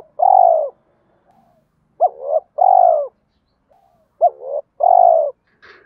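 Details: Spotted dove cooing meant to prompt other doves to coo. A long falling coo opens, followed by two complete phrases of a short hooked hoot, a rising note and a long, loud descending coo, roughly two seconds apart.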